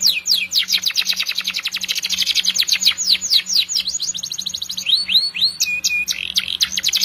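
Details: Canary singing a long, lively training song; fast trills of rapid high notes rolling into swooping whistled slurs, with a steady faint hum beneath.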